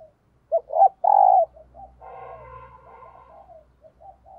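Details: Morning decoy cooing of a spotted dove calling wild doves; short coos and a loud long coo, then a fainter overlapping coo phrase over a low background hum.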